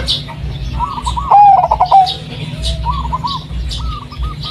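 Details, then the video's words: Local Blorok Madu zebra dove, a striped bird with white markings, used to lure other doves; one loud trilled, bubbling coo phrase near the middle, with fainter distant dove coos and a steady low hum behind. "pancingan suara perkutut BLOROK MADU"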